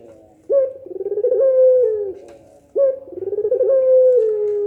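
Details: Pelung-style coo of a Barbary dove, a call said to make other doves respond: two calls, each opening with an abrupt short note, then a quick rolling coo and a long held tone that sinks at its end.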